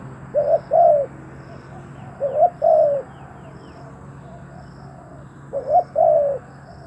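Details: Spotted dove kept as a decoy for attracting wild doves, uttering three gentle cooing phrases, each a brief note then a longer warbled coo, spaced roughly two and a half seconds apart, faint hum behind.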